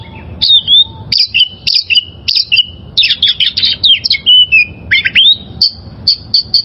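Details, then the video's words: Oriental magpie-robin, a wild-caught bird, singing for training caged birds: loud whistled phrases and quick chirps in bursts, ending with evenly repeated high notes. "Masteran Suara Burung Kacer Liyar...!!!"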